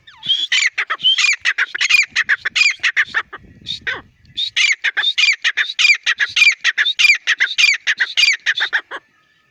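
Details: Partridge calling in a fast series of harsh, squawky notes, roughly two per second, pausing briefly midway before the rapid series resumes.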